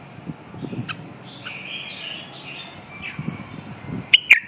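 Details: Red-whiskered bulbul singing short whistled, slurred phrases in a mid-high register, with a sustained warble in the middle and two sharp bright notes near the end over a low background rumble.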